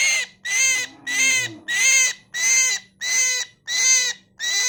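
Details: Harsh, buzzy myna call, seven loud notes spaced roughly two-thirds of a second apart, each rich and grating with ringing overtones, steady low hum beneath.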